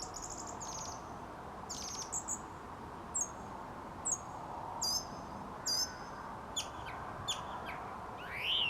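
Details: Dusk song of a song thrush outside a studio: short, crisp high phrases, each repeated twice in a row, with brief pauses between them. Over ten phrases are heard above a steady low background drone, ending in a rising whistle.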